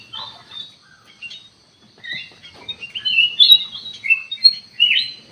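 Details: Sooty-headed bulbul singing for a lure recording: a few soft chirps, a brief pause, then a busy stretch of loud whistled and warbled notes that keeps going to the end.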